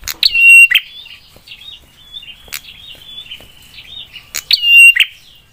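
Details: A prenjak, or prinia, giving a sharp song that gets other prinias to answer. Two bold phrases of click, rising note and held whistle bracket a long stretch of faint, thin whistled notes and soft clicks.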